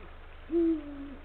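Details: Male Eurasian eagle-owl at the nest in late afternoon, 17 February 2023 at 16:45, calling to his mate: one deep, steady hoot followed by a softer, slowly falling tail, over a faint low hum.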